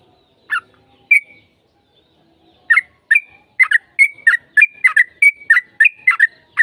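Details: Sooty-headed bulbul song meant to prompt a reply: a few scattered bubbly notes, then a quickening run of chirpy, liquid phrases strung closely together with brief whistled links.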